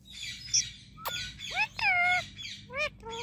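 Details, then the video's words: Talkative Indian ringneck parakeet producing quick, voice-like warbles: a sharp click, then stretched harmonic syllables that bend up and down, and a few rapid clipped notes at the end. "My Non Stop Talking Ringneck Parrot"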